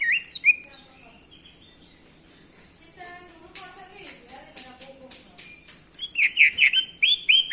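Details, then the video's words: Orange-headed thrush song meant to get males singing: sweet whistled phrases open and close the passage, with a softer middle section of lower, warbling notes, ending in loud, rapid, rising and falling whistles. "Gunakan video ini untuk memancing birahi AM jantan, AM macet/malas bunyi langsung gacor"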